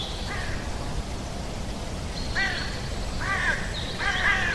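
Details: Pacific black duck (Anas superciliosa), feeding in a polluted suburban creek near a park, gives four harsh, nasal quacks at uneven intervals, the last louder and rougher, over a steady low rumble; Pacific black duck.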